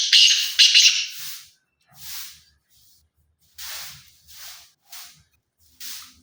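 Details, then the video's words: Black francolin delivers a short rasping, buzzy phrase of stacked scratchy notes at the start, after which only faint breathy hissing puffs recur irregularly. "کالا تیتر کی آواز"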